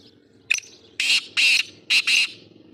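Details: Black francolin (kala teeter) calling in Sindh, Pakistan: a short sharp note, then two pairs of loud, harsh, rasping bursts, each about a quarter second long, over faint background noise.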